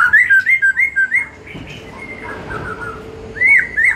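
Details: Afternoon white-rumped shama lure song meant to make shamas sing more often and more openly: a run of rich whistled phrases repeated quickly, then a softer pause, then loud whistles that return with some rising notes.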